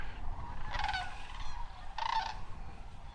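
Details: Wintering sandhill cranes at Hiwassee Wildlife Refuge, Tennessee, on the morning of 27 November after overnight rain, give two rolling, trumpeting bugles, each under a second long, against a steady low rumble of wind or distant traffic.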